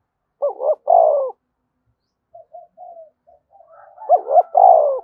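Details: Spotted dove giving its coo to trigger other doves to coo fast: a loud throaty double-note phrase opens, soft scattered coos follow, and a second loud phrase closes.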